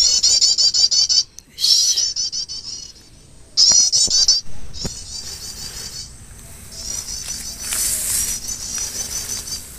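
Olive-backed Tailorbird giving bursts of very high, rapid, chattering notes, a second or so each, broken by a few sharp knocks and a soft hiss.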